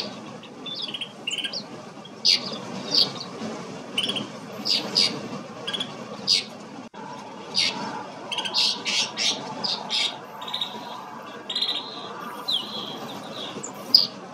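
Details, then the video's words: Snow buntings in Kananaskis, Alberta, Canada: a flock-like stream of sharp high chips, buzzy notes and short trills, densely repeated over fourteen seconds above a low rushing background. "Snow Bunting"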